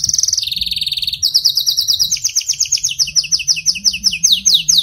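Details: Singing canary meant to coax a weak singer: two rapid rattling trills dropping in pitch, then a long chain of bright, quickly repeated chirped notes over a low steady hum.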